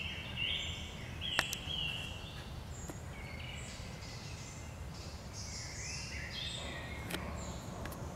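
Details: Song thrush singing in a forest on 16 June 2020, distant whistled and chirpy phrases, fairly faint, over a steady low rumble of wind and background noise.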